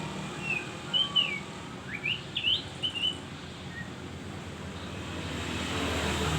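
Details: White-eye, described as singing in full voice with a strange sound: a short run of high, thin whistled chirps and rising slurred notes over about three seconds, then quiet, against a steady background of passing traffic.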